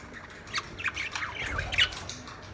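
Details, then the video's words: Lovebirds chirping: a few sharp, squeaky chirps and short downward squeals scattered over a low background hum, some overlapping. "Lovebirds Sound | Lovebirds singing | chirping Sound"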